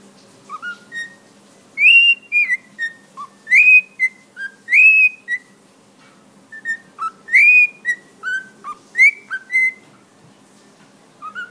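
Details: A male cockatiel whistles clear, melodic phrases copied from familiar television theme tunes, including the Andy Griffith Show, singing at length in the morning.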